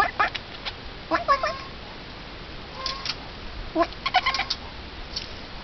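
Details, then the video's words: Eurasian jay uttering short harsh clicks and a few bent, mewing tonal notes in scattered groups, with quiet gaps between bursts. "GAITA (Garrulus glandarius)"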